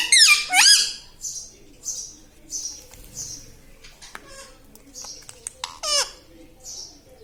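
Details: Pet parrot said to talk, saying words such as mithu mithu, mummy papa and radhe radhe; two loud, shrill, sharply bending vocal sounds open the recording, followed by fainter short squeaky syllables and a final strong rising-falling call.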